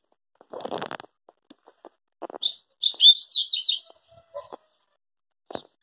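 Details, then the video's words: Song of a rusty-collared seedeater: a rapid, tumbling series of high, clear whistles and twitters lasting about a second and a half, preceded by rustling and thumps, with a few knocks after. "Papa Capim"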